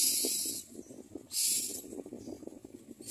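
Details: Nestling common mynas gaping to be fed: loud rasping hisses, the first lasting about half a second and a second burst a second later, with a softer hiss trailing off and a low murmur underneath.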